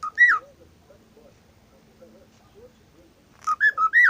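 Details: Pet cockatiel, said to sing all day, talking and imitating a phone messaging sound: clear whistled rising-falling notes at start, quiet pause with faint chatter, then a burst of four quick whistled notes.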